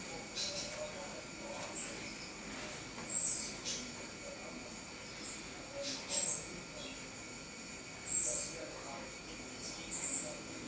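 A great tit gives brief, very high, thin call notes every two to three seconds over a soft, hissy background.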